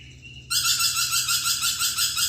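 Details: Lorikeet bursting into loud, grating, buzzy chatter after a half-second lull, the rasping notes pulsing quickly and steadily to the end.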